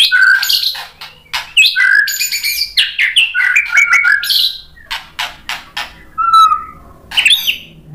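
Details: White-rumped shama singing to draw answers from other shamas: dense, energetic medley of whistles, buzzy trills and harsh chattering clicks, thinning into isolated clicks and a lone low whistle before a final burst.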